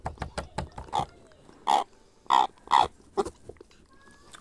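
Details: Hand-fed grey parrot hatchling making soft clicks followed by three hoarse, grunting squawks close together, then quieter rasps, in a calm indoor room.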